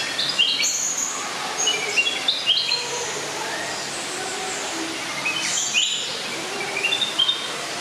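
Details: Blue-crowned hanging parrots (Loriculus galgulus) at Schönbrunn Zoo, Vienna, giving thin, high, shrill chirps and short squeaky notes in quick, irregular bursts, several at once.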